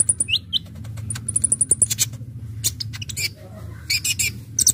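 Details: Brown-throated sunbird, locally called Kolibri Ninja or Konin, in lively gacor full-isian song used as a lure for trapping birds: thin, very high whistled note series and short rising chirps, broken by sharp clicks, over a low humming background.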